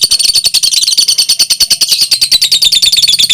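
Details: Two fighter-type lovebirds in close competition, one song lasting over two minutes. Shrill, rapid chattering notes pour out about three per second, a dense high-pitched rattle with no pauses, with a faint low hum in the room.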